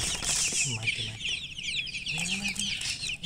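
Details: Newborn chicks chirping loudly, a dense overlapping chorus of short high peeping notes, many birds calling at once throughout, with some low rumbling and a few lower fowl sounds underneath.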